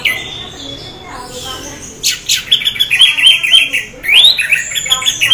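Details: Orange-headed thrush (Geokichla citrina) half in breeding condition sings: a thin drawn-out whistle, then a rapid, varied stream of bright chattering high whistles and trills, used to prompt other orange-headed thrushes to sing; orange-headed thrush.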